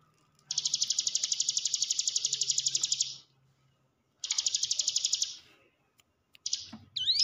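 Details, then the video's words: Hill prinia lure for encouraging cage birds to sing: a long high buzzy trill of about two and a half seconds, a pause, a shorter trill, then clipped notes and a rising whistle. "ciblek gunung diam saja kurang loss mental ciut latih dengan pancingan ini"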